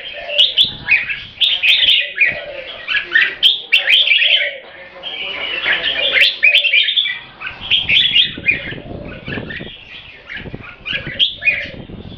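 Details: Red-whiskered bulbul of purebred Thai champion bloodline, kept caged for competitions, repeats busy, scratchy keke chatters in quick bursts about every second, with low cooing and some background noise.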